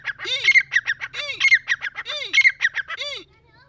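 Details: Deccani grey francolin breeding-season call: four harsh phrases, each with a low rising-falling note amid grating clicks, over a faint low hum, ending in quiet.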